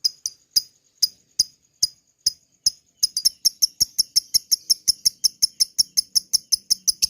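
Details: Lovebird in long ngekek song, the chattering style used to provoke other lovebirds: sharp, high notes spaced irregularly at first, then speeding into a rapid even run of about five per second, with faint background hum.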